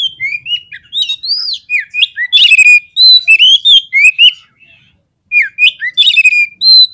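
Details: Provocation song of an Oriental magpie-robin (kacer), meant to rouse fighting birds: dense, continuous stream of whistled slurs, rising and falling notes and sharp clicks, pausing briefly before another lively phrase.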